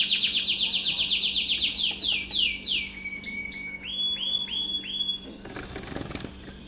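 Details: Mosaic canary, a colour mutation with white ground colour, singing a loud high song: a rapid run of repeated falling notes, then slower swooping whistles and steady held notes, ending in a burst of rustling noise.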